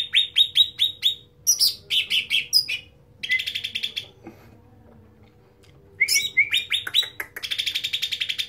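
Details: Cucak ranting (bulbul) singing loudly: rows of quick descending chirps, a buzzy stuttering trill, a quiet stretch of several seconds, then sliding notes and a fast rattle.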